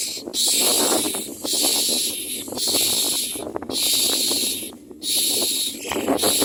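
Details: Adult common mynas feeding chicks at a nest; steady, harsh, hissing bursts each lasting about a second, repeated five times with short pauses, over soft scraping noises.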